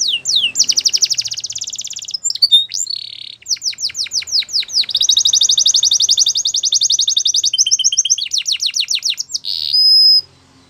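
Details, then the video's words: Canary performing a varied song of fast trills, sharp descending chirps and long even rolls, ending in a buzzy held note before silence. "Most Beautiful Song Canary Bird"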